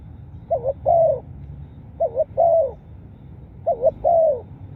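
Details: Spotted dove cooing: three low phrases, each a quick wavering double note followed by a longer, slightly falling coo, repeated roughly every one and a half seconds over a faint low hum.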